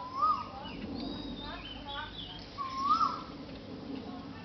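A common myna gives two loud, arched notes about two and a half seconds apart, with softer chattering notes between them and a low background murmur.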